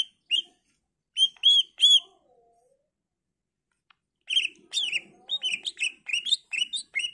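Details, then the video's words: Greater green leafbird singing a full, varied song used as a lure: a few isolated bright ringing notes, a long silence, then a busy stream of mixed chirps and slurred whistles. "Cucak ijo gacor full isian Variasi Cocok buat Pancingan agar Cak ijo lain Nyaut dan Gacor"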